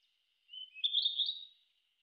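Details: Narcissus flycatcher singing in forest: a single short high phrase, a thin whistle sliding into a warbled, slightly buzzy twitter, about one second long, in a quiet setting.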